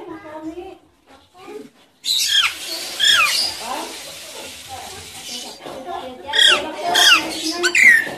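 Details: Nias hill myna giving loud, ringing whistles and harsh screeches with sharp falling notes, after a softer, speech-like stretch of mimicry; a calling sound used to prompt a Nias hill myna that has stopped singing.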